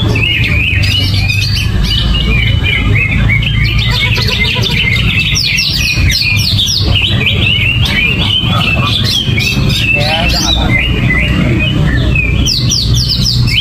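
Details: Greater green leafbird singing in gerabakan style, without banana feed or cage cover: a dense, continuous stream of fast whistled chatter and sliding notes, with a steady low hum beneath.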